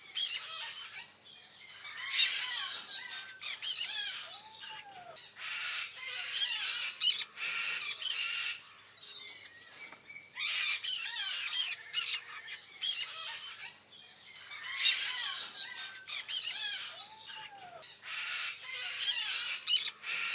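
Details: Sun conures at a wildlife park squabble over food with their companions, giving harsh, shrill squawks in rapid bursts, calling over one another almost continuously.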